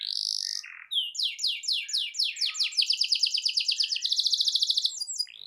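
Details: Master song of a canary used to stimulate a silent bird. A whistled note opens an accelerating run of descending sweeps that merges into a fast, even roll.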